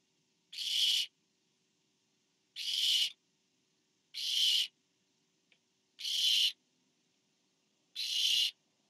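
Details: Barn owl nest, September, as a parent brings food to an owlet; five breathy screeching hisses at fairly even intervals of about one and a half seconds, with a faint click between.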